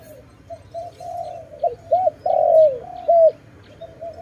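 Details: Dove calling where birds are trapped: soft coos build into a loud, long, falling note, then two short arched hoots, before it settles back into quiet murmuring coos.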